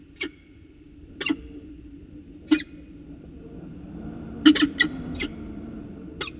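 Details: Peregrine falcons at Orange, CSU, New South Wales, on 19 February 2020, chatting during a ritual dance. Harsh, short broadband calls come singly or in quick pairs, irregularly spaced, over a low steady hum.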